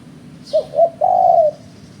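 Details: Spotted dove calling as a trapper's lure, one short coo, a second short coo, then a longer steady low coo lasting about half a second, with faint background hum.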